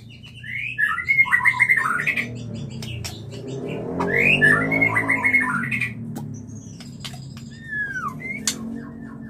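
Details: White-rumped shama in mating mood: fast tumbling phrases of bright whistles in two bursts, then a descending slurred whistle, with rattles and a soft hum.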